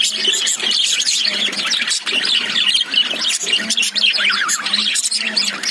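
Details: Lovebirds, also called budgies, inside a cage: continuous dense chattering of many quick high chirps and warbling squeaks, several birds overlapping, with a faint low hum.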